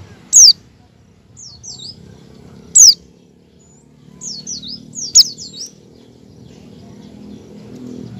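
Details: Oriental white-eye giving ngecal calls and practising ngalas song, played to coax other white-eyes into singing: three loud, piercing down-slurred notes about two and a half seconds apart, with softer short chirps between them.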